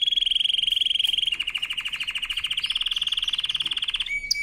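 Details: Canary singing a powerful training song: a fast, steady high trill, then a lower, buzzier rolling trill of rapid pulses, ending in a short sharp whistle.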